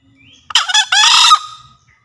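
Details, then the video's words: Javan green junglefowl crow used for luring birds in the forest. A faint thin note comes first, then a gruff two-part crow with a longer, raspy second half that tails into a faint whine. "Suara Master Pikat Ayam Hutan Hijau Sedang Beraksi"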